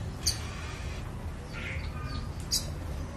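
Scarlet-backed flowerpecker giving two thin, very high, sharp ticking notes about two seconds apart, with a low background rumble and faint softer chirps between.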